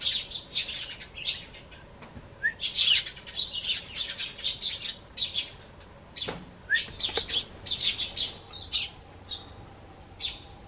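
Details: Garden sparrows flying up onto a bench to call to their familiar human produce a lively stream of high chirps and twitters in irregular bursts, with occasional wing flutters and a couple of sharp knocks.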